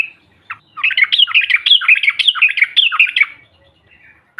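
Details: Lively yellow-vented bulbul chatter meant to provoke other birds: a continuous stream of quick, sharply bending notes for about three seconds, then a faint trailing note.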